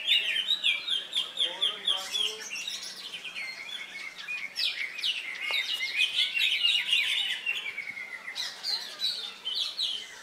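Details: Leafbird known locally as cucak hijau, competing after its molt at Latpres Utama Delta Kencana Indonesia on Saturday 3 September; long rambling song of fast chips, trills and mimicked-sounding phrases, pulsing steadily, with other birds in the contest.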